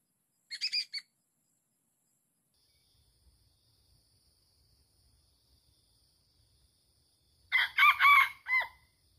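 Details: Red junglefowl, wild, at a site said to be haunted where many junglefowl live, during trapping; a short crow near the start and a longer, louder multi-part crow about seven seconds later, with faint insect hum between.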